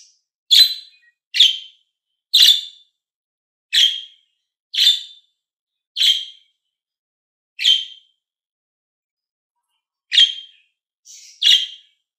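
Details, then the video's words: Pet budgies in green and blue make about ten shrill chirps over twelve seconds. They come fast at first, then there is a longer pause, and a faint note precedes the last call. "Budgie Amazing Calling Sound"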